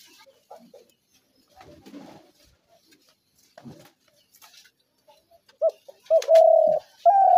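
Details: Spotted dove calling, as used to draw doves into traps: quiet stretch with faint rustles, then two clipped coos and a long drawn coo, another starting as it ends.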